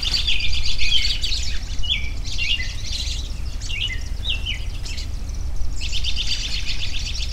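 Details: Several birds heard together outdoors, a rapid buzzy trill at the start, then scattered short downward whistles, and another fast trilling burst near the end, over a low background rumble.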